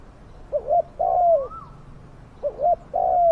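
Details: Decoy spotted dove calling to lure wild doves: two low cooing phrases, each a short note followed by a longer, falling coo, with a faint rising whistle from another bird between them.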